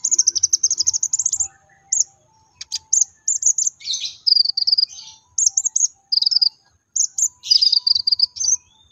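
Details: Lure song of a brown-throated sunbird in 'tembakan' style, meant to spur other sunbirds into song: opens with a fast, even high trill, then scattered chirps and several short buzzy, slightly lower phrases.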